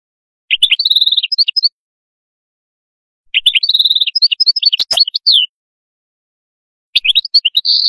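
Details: Canary song in three bursts spaced a few seconds apart, each a rapid rattling trill that breaks into chirps and clear whistled notes. A sharp click sounds midway, against an otherwise silent background.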